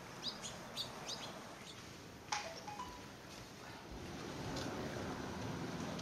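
Lesser goldfinch giving thin, high chirps scattered through the first few seconds, over steady rumbling background noise.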